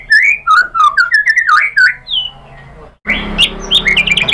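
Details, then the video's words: White-rumped shama song used as a lure to provoke other birds: a series of clear looping whistles, then after a pause a burst of high chattering notes over background hum. "MURAI BATU Langsung NYAMBER EMOSI BONGKAR MATERI ¦ PANCINGAN MURAI ¦ SHAMA BIRD"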